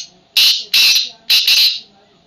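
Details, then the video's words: Caged tame black francolin calling: three loud scratchy, buzzy bursts in quick succession, the final one split into two parts, then quiet with a low background hum. "Tamed Wild Black Francolin Speaking In Cage"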